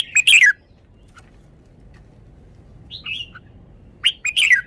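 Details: Caged red-whiskered bulbul showing its song phrases: a loud, chirpy descending phrase, a quiet gap, soft whistles, then another loud burst of sharp notes.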